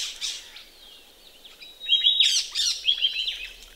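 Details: Ring-necked parrots bathing in a pond in Australia on a chilly morning; quiet at first, then a burst of sharp, high chirps and thin whistled notes overlapping, briefly repeated near the end.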